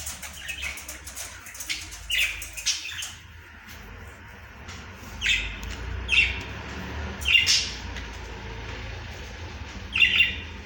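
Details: Caged budgerigars, called Australian parrots, giving short chirping calls in spaced bursts every one to two seconds, with quieter twittering between them over a low background rumble.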